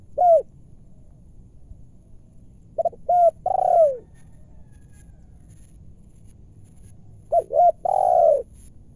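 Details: Wild spotted doves descending to a lure bird during trapping in Indonesia, with deep full-toned and clear voices; low cooing phrases of two short notes then a long falling coo, heard three times with pauses between.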